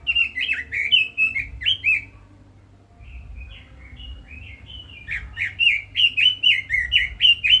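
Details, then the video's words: Red-billed leiothrix singing a fast stream of slurred, rising and falling whistles, a brief lull with softer notes, then an energetic run of repeated warbled phrases. "Chim Quế Lâm kích giọng hay, căng lửa - Burung Robin Gacor | Chim Kim Oanh Mỏ Đỏ"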